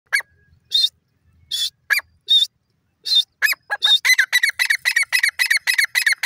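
Grey partridge giving harsh, grating notes, spaced at first, then quickening into a rapid run of about four scratchy calls per second. No other sounds.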